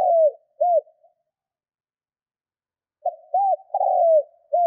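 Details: Decoy spotted dove being trained, 'Thúc' style cooing to excite wild birds: a falling coo and short arched note, a long pause, then a fuller phrase of soft notes, a drawn-out coo and another arched note.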